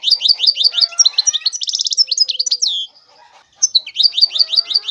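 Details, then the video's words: European goldfinch delivering rapid, high twittering song, repeated swooping chirps, a short buzzy rattle and a drawn-out slurred note, a brief hush, then another burst of quick sweet chirps. "تغريد الحسون هو اجمل صوت العصافير"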